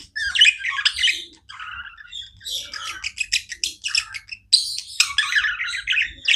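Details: Nonstop chirping from pet budgerigars: lively, rapid warbles, clicks and scratchy squawks running almost continuously, with short sharp chirps breaking up the chatter.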